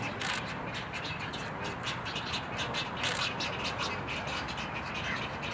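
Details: Juvenile egrets close to leaving the nest, trying out their wings at a crowded breeding rookery in Pennsylvania, give a dense chorus of harsh, rasping squawks, overlapping irregularly about twice a second over a steady background rumble.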